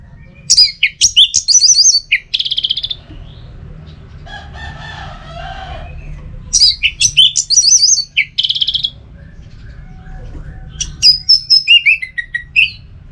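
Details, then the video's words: Orange-headed thrush singing, recorded as training and prompting material for kept birds: three rich bursts of rapid, varied whistles and trills, separated by quieter gaps holding faint lower sounds, with steady low background noise throughout. "Masteran sekaligus Pancingan Burung ANIS MERAH"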